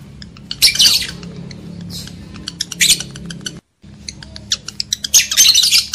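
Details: Lovebirds whose calls are used to arouse breeding urge in males and females: loud bursts of grating, high squawking alternating with quick sharp chips, a brief silent gap midway, and a constant low hum.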